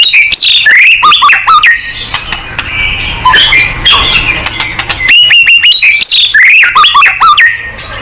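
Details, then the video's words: Energetic white-rumped shama song used to set other birds singing. Bursts of fast, varied whistles, sharp chips and sweeping notes alternate with quieter, looser passages, then return loud and dense, over a faint low hum. "MURAI BATU GACOR"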